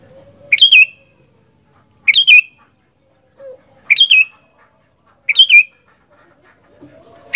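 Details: Kutilang, the sooty-headed bulbul, singing as a fighter bird: four bright, bubbly whistled phrases spaced about every one and a half seconds, each a quick rising-falling note pair, with faint low sounds between.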